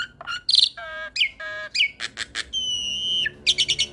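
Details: Caged hybrid of Asian pied starling and Nias hill myna in full chatter for training birds: rasping bursts, nasal harmonic notes, clicks, a long level whistle and a closing series of buzzy notes.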